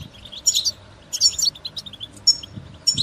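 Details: Call of the European goldfinch, played so a caged goldfinch will start singing: a few bursts of sparkling twitters and buzzy notes separated by short pauses, with faint low knocking beneath.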